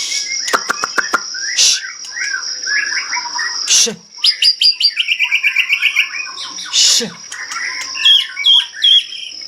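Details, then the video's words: White-rumped shama of the Medan type singing steadily: clicks, harsh bursts and busy warbled phrases with a quick run of repeated notes, over a steady high-pitched background hum. "burung murai medan gacor"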